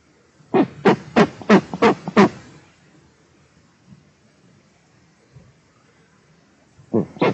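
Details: Female eastern imperial eagle, one of a breeding pair in Tatarstan watched under a Nizhnyaya Kama national park project, scolding someone on 13 May 2022: six rapid, hoarse, barking notes, then a pause and two more barks.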